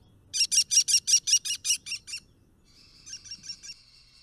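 American Kestrel alarm call: a rapid, shrill klee-klee-klee of about ten high notes, roughly five per second, then a softer, shorter burst of similar notes.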